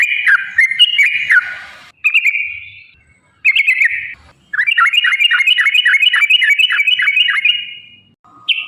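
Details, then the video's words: Yellow-vented bulbul performing a long ropel song, used to lure caged birds into singing. Short bubbly phrases separated by pauses, then a sustained run of about a dozen quick, dipping whistled notes. "trucukan gacor TARUNG ROPEL PANJANG pancingan trucukan agar bunyi"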